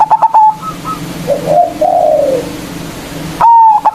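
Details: Local zebra dove with a big voice, played as a lure to provoke rivals. Loud stuttered phrases open and close the passage, separated by softer drawn-out cooing from other doves.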